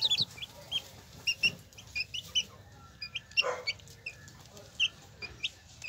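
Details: Hen with her chicks: a constant scatter of short, high, thin chick peeps, often in quick pairs, with one louder, lower hen cluck midway through.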